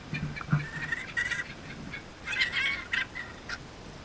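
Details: Kookaburra giving a short series of harsh, hoarse notes with a raspy chuckling quality, in bursts separated by brief pauses, with a few low thumps and handling noises.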